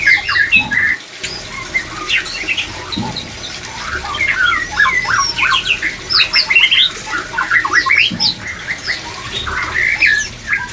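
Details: Energetic white-rumped shama song for raising breeding drive: dense, continuous sequences of sharp chips, whistles and quick stuttering phrases, varied in pitch, almost without pause, over low background hiss.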